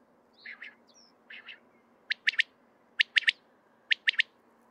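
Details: Common quail male giving its gathering call: two pairs of quieter, lower preliminary notes, then three ringing, sharp triplet phrases delivered in quick succession, each under half a second long.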